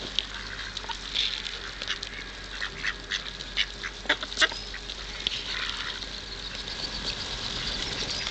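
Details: Feeding-time calls from hungry ducks at the Kirchsee in Preetz: a dense run of quick nasal quacks and sharp clicks, louder in the middle, over steady background hiss.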